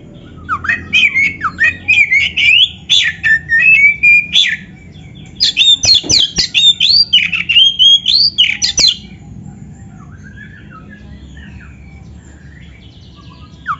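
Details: Oriental magpie-robin delivering vigorous 'gacor isian' song as a lure for other magpie-robins. Rapid bursts of varied whistles, slurs and harsh chattering notes run for several seconds, then fade to quiet with a few soft notes.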